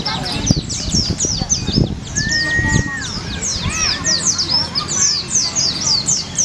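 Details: Several white-eyes compete in the white-eye class of a songbird singing contest in Palopo, singing at once in thin, high, rapid twitters and short slurred chirps that overlap continuously. A man speaks in the background throughout.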